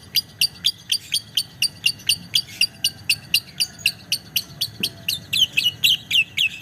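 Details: Lovebird singing a long ngetik ngekek, a steady run of sharp, high clicking chirps about four per second, speeding into twittery notes near the end.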